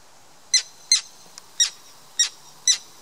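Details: Common terns defending chicks on Tatyshev Island in the Yenisei, Krasnoyarsk, Siberia, June 2016: five loud, harsh, high-pitched calls spaced about half a second apart against a quiet background.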